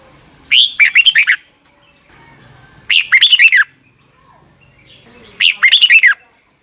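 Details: Red-whiskered bulbul singing, Thailand, a recording played each morning to train young caged birds. Three quick, warbling phrases of swooping notes, each about a second long, spaced around 2.4 seconds apart.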